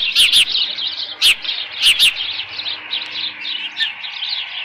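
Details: Osprey at a nest on Dunrovin Ranch, 13 June 2018, late morning around 11:37 with leftover fish present; a steady run of high, thin chirped whistles, several loud sharp notes in the first two seconds, with scattered clicks and knocks.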